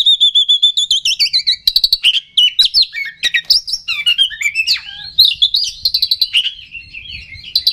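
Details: Oriental magpie-robin song used to provoke rival birds into excitement: a fast, varied stream of rich whistles, trills and sharp chirps, notes sliding between mid and high pitch with few pauses.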